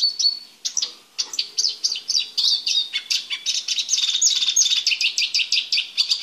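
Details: Male Eurasian siskin singing in a small cage during preparation for mating: a lively stream of high, quick twittered notes that grows denser into rapid, evenly repeated chirps.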